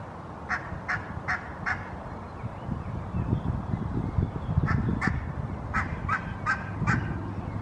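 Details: In Helsinki, Finland, in May 2022, a Barnacle goose stands guard while its mate drinks from a bowl-shaped monument. It gives four short, high yapping barks in quick succession, then a looser burst, over a low rumble.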